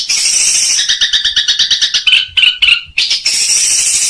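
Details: Long-tailed shrike in kuntilanak and gereja styles with full ngekek tembakan, 2021: a shrill, fast chatter of buzzy notes breaking into a few clear whistles, then a dense hiss of high sound.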